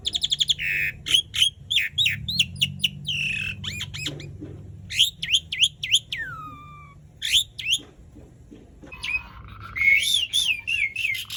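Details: Asian pied starling singing long and rolling, used to spur silent birds of its kind to sing. Rapid series of clipped chirps, a long descending whistle, pauses, then a wavering trilled whistle with chatter.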